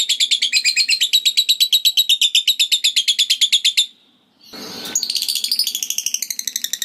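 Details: Long ngekek chatter from a lovebird, said to reliably set off other lovebirds: nearly four seconds of rapid rasping notes, a brief pause with a noisy burst, then the fast chatter resumes.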